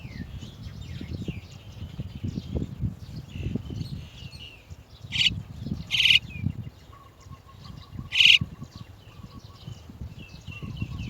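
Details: Chestnut-tailed starling parents come to lead their chicks out of the nest; three loud, harsh, noisy bursts stand out over a background of many soft, high chirps and low rumbling noise.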